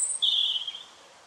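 A brief robin phrase: a very high, thin note, then a sustained, clear whistle that drifts slightly down and fades. Faint background hiss.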